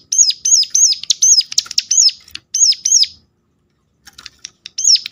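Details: Sharp, high calls of a Sunda warbler, meant to spur others of its kind into singing: a fast run of arched, piercing notes, some clipped ticks between them, then silence and a final pair of notes.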